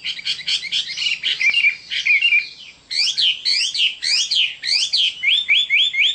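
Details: Chinese hwamei delivering fast, harsh-edged chattering bursts that give way to ringing, upward-swept whistles repeated in quick series.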